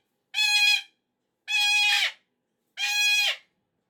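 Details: Indoor pet cockatoo screaming through a Monday morning meltdown over the weekend's end: three long, raspy, piercing screams, evenly spaced, with the last two dropping slightly at their ends.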